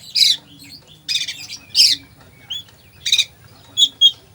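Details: Captive oriental magpie-robin with full 'isian' song: scratchy high bursts and squawks, a couple of short clear whistles, and two sharp pure notes near the end, spaced irregularly.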